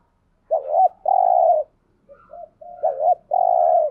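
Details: Spotted dove call used to rouse other doves: a wavering double note, then a long even coo, repeated after a gap with soft short notes in between; low, mellow and clean, no other sounds.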